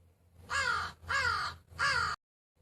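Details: Three loud, drawn-out hoarse caws from a crow in quick succession, each about half a second long with brief pauses between.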